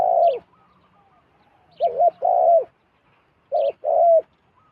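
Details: Zebra dove, a wild bird drawn down to a decoy, calling. It repeats a double coo, a short burred note then a longer steady rolling one, three times in quick succession. A thin high chirp sounds between phrases.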